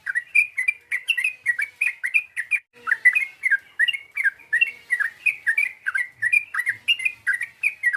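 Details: Yellow-vented bulbul calling to provoke an opponent: a steady, unbroken chatter of short, liquid chirps repeated rapidly for the whole stretch, each note sliding slightly downward.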